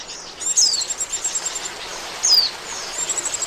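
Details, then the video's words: Oriental white-eye calling as a lure for trapping: two thin, high falling whistles about two seconds apart, set among soft rapid high twittering and background hiss. "SUARA PIKAT BURUNG PLECI, AMPUH !!"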